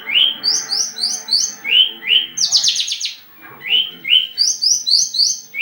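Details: Javan bush lark in breeding condition, aggressive while courting. Paired high and lower chirps in quick series, interrupted by a loud buzzy rattle, then the alternating chirp series returns.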